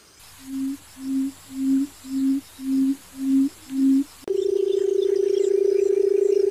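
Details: Barred buttonquail giving a series of seven short low hoots, evenly spaced about every half second and growing slightly louder, then a continuous low purring drone.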